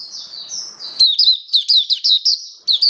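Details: Oriental white-eye kept as a caged songbird, 21 October 2022, first day of a song-display booster: a soft high thin whistle leading into a burst of sharp, quick, slurred chirps.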